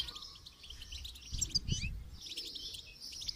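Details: Goldfinch singing during song training: a high, thin twittering of quick chirps and trills that fades in and out, with dull low thumps and handling noise in the middle.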